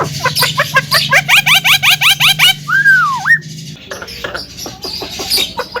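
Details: Javan myna producing rapid clicking notes and quick upslurred chips, then a clear whistled note that dips, loops and rises again, followed by scattered sharp ticks.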